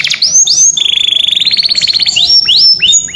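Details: A canary calling to its companion: rising whistles, then an even rattling trill of quick pulses, ending in upward-slurred notes.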